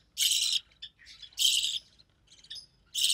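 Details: Young recessive pied budgie, the only one of three hatched chicks to survive, calling as the mother feeds it; loud, noisy, rasping bursts with short gaps, each about a third of a second long.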